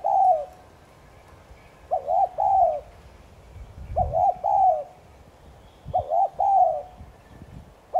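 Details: Repeated thúc gù cooing of a spotted dove, meant to stimulate other doves: phrases about every two seconds, a quick two-part coo then a long soft note, with faint low thuds in the background.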